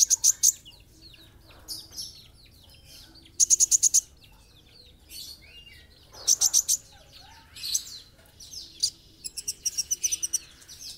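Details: Kolibri ninja, the olive-backed sunbird, singing energetically for a masteran recording: repeated bursts of rapid, piercing high ticks alternate with thin sweeping chirps, and the phrase closes with a longer, quicker rattling trill.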